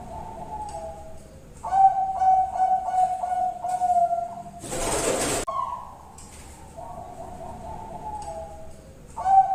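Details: Zebra dove of the Bangkok type singing, a lure recording meant to prompt other doves to answer: low rolling coos in a rapid series of even pulses, a sudden loud noise burst midway, then further drawn-out and pulsed coos.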